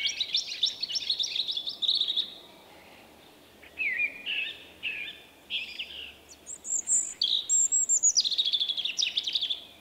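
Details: Male common blackbird with an unusual individual song, rendered as 'vuippi vuippi vuuu', recorded in March 2024; a shy bird. Whistled phrases with twittering ends, some jumping high, separated by short pauses.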